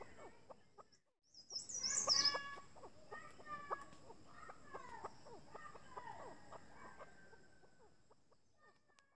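A chukar gives a long run of harsh clucking chuck notes, quickening then slowly fading over several seconds, over a faint, steady high-pitched whine.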